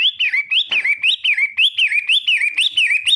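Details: A long-tailed shrike delivers loud, clear whistled notes, each sliding down then swinging back up, repeated almost twice a second in a steady chain. One brief rough burst interrupts near the start.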